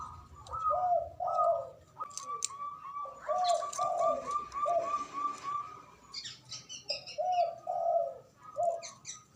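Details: Loud local Javanese zebra dove, able to call rivals into answering: repeated rolling coos, a staccato trill followed by lower mellow notes, recurring in phrases, with some background chatter and hiss.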